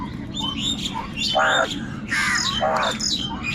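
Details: Angry crows fighting for food, calling continuously and loudly: harsh, raspy caws in quick succession, several overlapping, each a short grating burst, over a steady low background hum.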